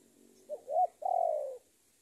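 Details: A decoy spotted dove gives one lure phrase to challenge a rival: a soft short note, a louder arched note, then a long rough coo easing downward.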